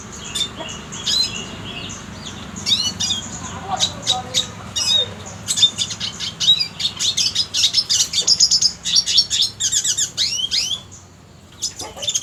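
Red siskin song: a fast, high twittering stream of chirps, buzzy trills and short whistled notes, nearly continuous with brief pauses, plus faint background murmur.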